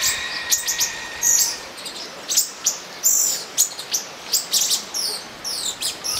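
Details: Mating olive-green tanagers in São Bento do Sul give sharp, high-pitched tweets, singly and in little clusters about every half second, with a few longer thin whistled notes mixed in.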